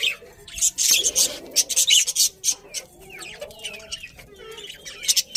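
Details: Budgerigars chirping in dense, scratchy bursts of high, buzzy notes that come in quick irregular runs, with brief quieter gaps between flurries.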